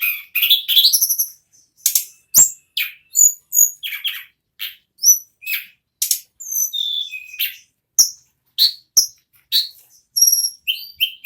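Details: Rapid continuous song of an ashy tailorbird, called nagen ngerol, mixing grating downward-sweeping notes with crisp high chips and whistles, uttered in quick, evenly spaced bursts.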